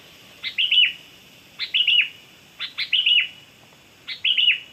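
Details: Kutilang (sooty-headed bulbul) singing lively lure phrases used to attract other birds: four brisk bursts of clipped notes that slide into fluty warbles, spaced about a second apart, nothing else audible.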